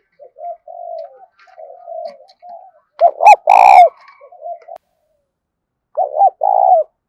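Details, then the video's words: Spotted dove song intended to bring wild doves to fight a decoy: soft low coos, a loud arched double note and harsh drawn coo with a sharp clatter, more soft notes, then the loud phrase again. "tiếng cu gáy thúc Đấu bổi rất rát, trị những con chim cu gáy bổi bể rừng lẹ về cội đấu với mồi"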